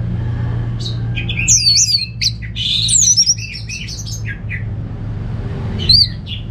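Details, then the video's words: Orange-headed thrush, a caged bird kept at home in Singaraja, North Bali, Indonesia, singing in morning or afternoon: bursts of varied high whistles and squeaky warbled phrases, pausing midway, with a low hum underneath. "Receh & Jos Suara ANIS MERAH Berkicau || Pancingan & Masteran Burung di Rumah Padi maupun Sore Hari"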